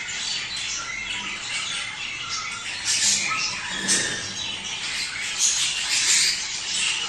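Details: Budgerigars whose warble is said to encourage mating: a steady, high chirping and squeaky chatter with a few louder harsh notes around three to four seconds.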